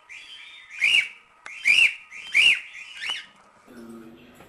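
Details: Cockatiel singing to teach chicks: a run of four bright arched whistles about three-quarters of a second apart, then a faint low murmur at the end.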